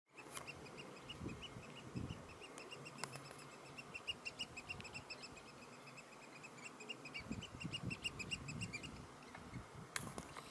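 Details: Three Eurasian oystercatchers give a piping call on 16 June 2016: a fast, steady run of shrill, piercing piping notes for about nine seconds, over a low rumble of wind.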